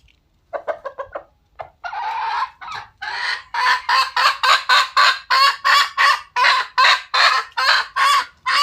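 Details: Red junglefowl with quick staccato clucks, a long harsh drawn note, then about twenty rasping cackles in rapid succession, loud and grating throughout.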